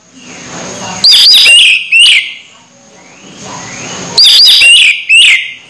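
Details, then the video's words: Orange-headed thrush close to moulting yet still singing actively. Two loud bursts of high, sharp whistled and slurred notes, each about a second long and three seconds apart, with quiet hiss between. "Anis merah hampir mabung masih gacor"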